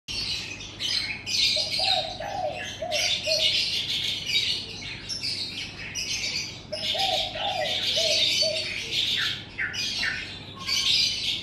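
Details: Morning birdsong in front of a house: dense, bright chirping and twittering from several birds throughout, with lower soft cooing phrases around 2–4 and 7–9 seconds over a steady low hum.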